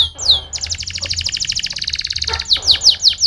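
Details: Canary singing, played to stimulate singing: a brief high whistle, then a long rapid even trill of repeated notes, closing with several bright downward-sweeping whistles.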